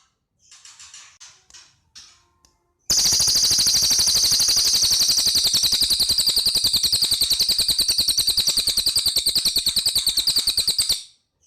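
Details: Cililin in prolific song: a few faint high chirps, then an intense, fast, regular rattle of sharp high notes sustained for about eight seconds before stopping abruptly.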